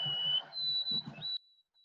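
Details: White-throated Sparrow song opening, a classic Maine summer sound ("Old Sam Peabody"): a pure, steady whistle stepping up to a higher held note, with a low room murmur underneath.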